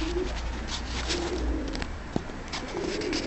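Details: Tumbler pigeons in their loft, said to look timid but be easy to handle: low, rolling coo phrases at the start, middle and end, between sharp clicks and soft wing rustles.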